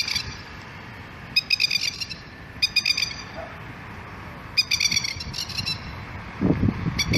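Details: Masked lapwing alarm calls from a bird with its family guarding a chick: repeated bursts of sharp, chattering 'kekekek' notes, five rattling series spaced about a second apart, with low rumbling noise toward the end.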